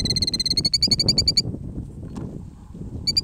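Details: A parent killdeer defending its nest on a gravel road gives a rapid, high trill of clipped notes for over a second. A pause with low rumbling noise follows, then the trill starts again. The calls are meant to lure predators away.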